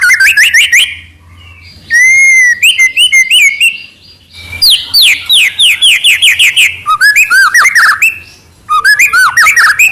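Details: Song of a white-rumped shama (murai batu): rapid rising and falling whistles in dense runs, a sustained level whistle, then long cascades of quick downslurred notes and bright trills between short pauses.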